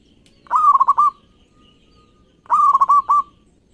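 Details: Local zebra dove, a lively singer, used as a lure to stimulate other doves: two cooing phrases, each opening with a rising note and breaking into a rapid run of pulsed, rolling coos, separated by a quiet gap.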